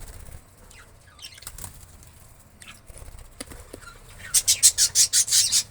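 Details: Indian ringneck parakeet: after faint scattered chips, a burst of six or seven loud, harsh screeching notes in rapid, even succession closes the recording.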